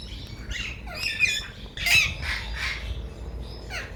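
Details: Male Alexandrine parakeets, from a breeder pair and talking parrot, give harsh, raspy squawks in uneven bursts, about one or two a second, over a low background rumble.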